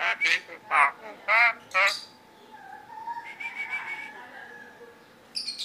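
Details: Tame Javan myna, a yellow-eyed bird able to talk, giving loud harsh whistled notes, four strong bursts in the first two seconds with wavering pitch, then softer warbled phrases and a brief high note at the end.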